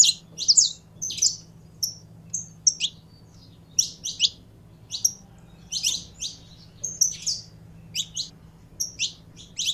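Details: Saffron finch giving loud, crisp chirps in short clusters separated by small pauses, its phrases steady and repeated across the recording, with a faint hum behind.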